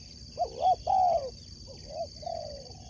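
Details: Spotted dove, a competition sport dove, delivering a paired rising-falling coo then a long slurred note, followed by softer trailing coos; steady high hum in the background.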